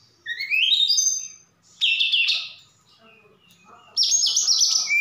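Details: Javan bush lark in active song from Sukabumi, Indonesia, its repertoire including imitations of cililin and sikatan londo: a rising series of whistles, a dense buzzy phrase, soft notes, then a loud chattering trill.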